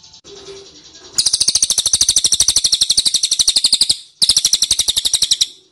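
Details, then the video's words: Ashy tailorbird lure sound: a long, fast chain of bright, high chip notes lasting nearly three seconds, a short break, then a second chain, with a faint background hum. "PANCINGAN CILILIN DIJAMIN NYAHUT"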